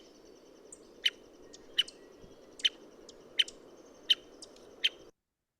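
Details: American Three-toed Woodpecker in Washington uttering its contact call: six short, sharp, high pik notes spaced roughly three-quarters of a second apart, with a few faint extra notes and a steady low rumble underneath.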